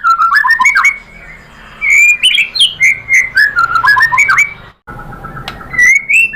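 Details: White-rumped shama, called murai batu in Indonesia, singing to provoke rival birds into answering. Jumbled rising and falling whistles pour out rapidly, break off briefly, then resume with a bright upslurred note.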